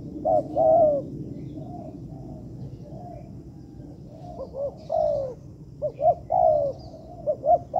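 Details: Spotted dove in a man-made training yard giving soft, uneven coos: an opening short-long phrase, quieter distant coos in between, then a livelier burst of quick hoots and long falling notes near the end.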